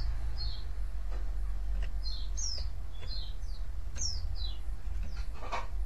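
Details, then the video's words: White-eye giving quick high downslurred chirps, several per second in loose bursts, over a steady low rumble; the calls are said to provoke other white-eyes to answer. "cuitan dan crecetan pleci ini ampuh memancing pleci lain nyaut"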